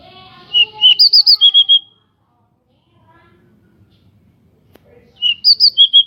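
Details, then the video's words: Local pied bushchat with wings spread, used to provoke other birds into singing: two identical phrases of rapid slurred whistles, rising then steady, separated by several seconds of quiet. "Decu Lokal Gacor Dor Buka Sayap || Pancingan Burung Decu Bahan Biar Cepet Bunyi dan Emosi"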